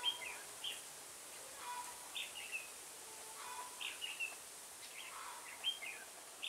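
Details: Red-whiskered bulbul used as a decoy at a trap to lure a rival, on a cold windy day, 25 November 2017, Chùa Hương style; short bright whistled phrases repeated about every second with faint background noise.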